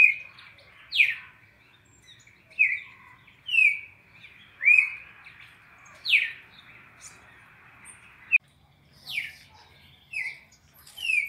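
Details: Red-crested cardinal, classic Brazilian four-note training sequence: clear, short whistled notes that drop sharply or slide down, spaced roughly a second apart over a faint steady hiss.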